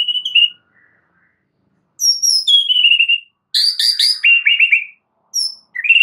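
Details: Strong white-rumped shama song for training caged birds: a clear whistle, a pause, then high falling notes, quick repeated chirps and brisk trilled runs.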